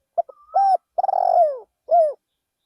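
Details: Decoy spotted dove calling in a Thai rice field, giving soft low coos: two quick notes, a steady coo, a long vibrating coo sliding downward, then one closing coo.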